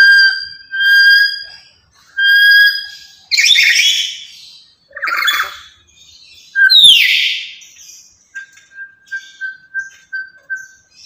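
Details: Loud, talkative lory, active daily and kept as a decoy for other lories: steady, clear whistles repeated, then coarse, rising screeches, ending in a quick run of short whistled notes.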